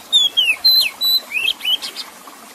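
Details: Oriental magpie-robin whistling several clear descending and level notes, followed by softer rising chirps and a few harsher twittered notes at the end.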